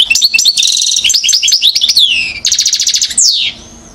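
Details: European goldfinch, one year old, in Mouzaia, Algeria, 2012. Energetic continuous song mixes liquid chirps, descending slurred notes and two fast rattling trills, ending on a sweeping downward note.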